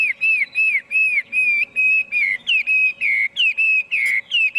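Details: Chinese hwamei singing, recorded without background noise: loud, clear whistled notes, each sliding down and then up, repeated in a steady string about three times a second with short gaps between them.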